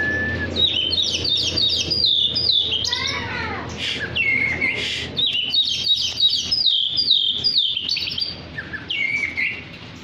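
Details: Tame caged Oriental magpie-robin, a fighter bird, singing while whistled to and handled: continuous varied whistled phrases with rapid chirps and slurred notes, high and busy throughout, steady low hum in the background.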